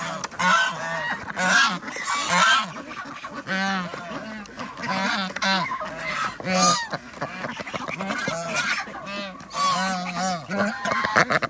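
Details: At feeding time on a village duck farm in Andhra Pradesh, a flock of ducks, with geese and chickens nearby, gives loud nasal honking calls in bursts, several birds overlapping, with short pauses between groups.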